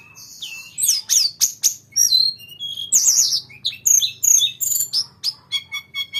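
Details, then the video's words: Actively singing grey-cheeked bulbul delivering a long rolling song: quick sweeping chirps and bright twitters in steady bursts, ending with a run of short, evenly spaced notes, faint low hum behind. "tledekan gunung gacor ngerol panjang"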